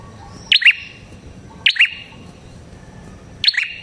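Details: Red-headed prinia lure call: a quick, high double chip, given three times at irregular gaps of one to two seconds against a constant low hum.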